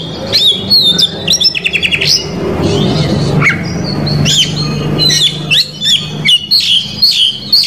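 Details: Oriental magpie-robin singing a full, varied song used to provoke rival males: sharp whistled notes, quick upslurred chirps and rattling trills in bursts, busiest near the start and end, over a steady low hum.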